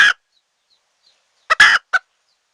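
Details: Hen of the wild red junglefowl, calling to attract wild birds into a trap: a harsh cluck, a silent gap, then a short note, a longer raspy burst and a final quick cluck.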